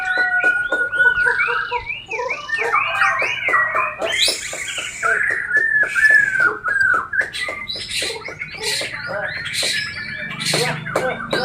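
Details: Bornean white-rumped shama, described as a persistent and aggressive singer: rapid looping whistled notes in a rolling series, then mixed chattering and sharp clicks, continuous and loud.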